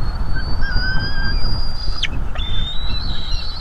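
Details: Fluffy bald eagle juveniles at a North East Florida nest during food delivery: one long thin high whistle, a sharp break, then another long level whistle, above a strong low rumble.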